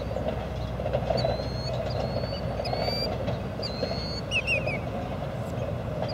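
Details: Killdeer, Panasonic TM90 camcorder recording: a run of high, drawn-out whistles that slur slightly downward, then a quick burst of short rolling notes, all over persistent low background rumble.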